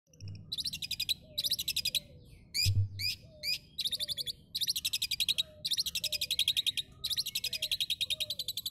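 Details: Captive Asian pied starling in Tulungagung, East Java, pours out dense, buzzy chattering bursts about once a second, mimicking lovebird and cililin chatter, with soft lower whistled notes between.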